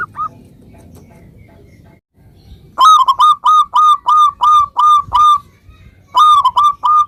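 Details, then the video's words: Local zebra dove song, played to prompt other zebra doves to answer. Loud, clear whistled notes are repeated steadily, about three per second in a run of nine, then pause and start again. Faint murmuring comes earlier. "suara perkutut lokal gacor"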